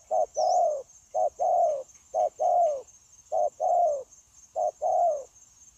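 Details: Wild-caught spotted dove, a trapping decoy bird recorded 9/1/2024, cooing eagerly: paired low coos, a short note then a longer falling one, repeated in uneven runs about once a second, over a steady faint high whine.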